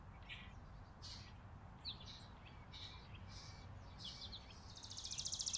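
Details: Chickadees feeding on a farm porch in winter, December 2022: a string of short, high chirps roughly every half second, with a rapid buzzy trill beginning at the very end over a faint low background hum.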